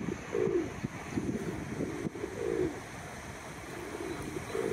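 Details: Red-crested Pochard, recorded 21 April 2023, giving soft, low, muffled calls about every two seconds over a steady hiss of wind or water.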